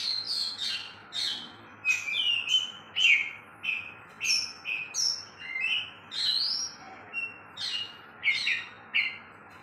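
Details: Two caged oriental magpie-robins competing in song: a lively, varied stream of short whistled and chattering phrases, many sliding downward, delivered about one and a half per second with little pause.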